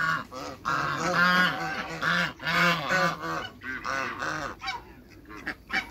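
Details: A pair of African geese in a backyard with other waterbirds honk loudly in a fast, uneven series of harsh, arched, strongly harmonic notes, about one every second, tapering off toward the end.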